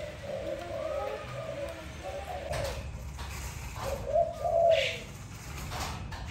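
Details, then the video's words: Malay dove kept as a pet, giving soft, arched cooing notes in a quick run during the first three seconds, then a short louder phrase near the fourth second, with brief knocks and thin background hiss. "Sweet sound of my dove, sound of Malay dove"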